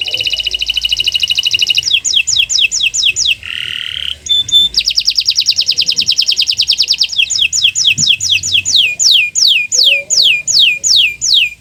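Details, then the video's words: Canary, Kenari Nusantara type, on a master track for prompting quiet canaries: long continuous rapid trills shift into a series of descending whistled notes, interrupted once by a short nasal buzzing phrase and a pure whistle. "Masteran Burung Kenari untuk Pancingan Burung Macet Bunyi"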